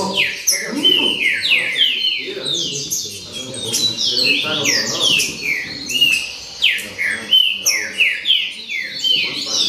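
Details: Green-winged saltators in a noisy chorus: many overlapping, fast, descending whistled slurs and sharp chirps pour out continuously, several birds singing at once with no pauses, over a faint low murmur.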